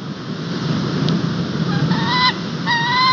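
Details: Male White-tailed eagle in Estonia, 21 March 2021, arriving at the nest with a fish and calling the female to come for her breakfast: two short bursts of clear, slightly rising yelping notes late in the clip over a steady low wind-like rumble.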